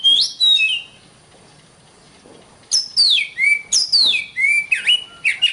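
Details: Oriental magpie-robin, known as kacer, in a long master recording for training birds: a brief whistled phrase, a pause of nearly two seconds, then loud downslurred whistles and quick looping notes repeated at a lively pace.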